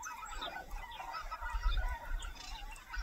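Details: Red-crowned cranes in Cheorwon, Gangwon Province, call together in overlapping, nasal, trumpeting notes from several birds at once, a family group, over a steady low rumble of wind or distant traffic.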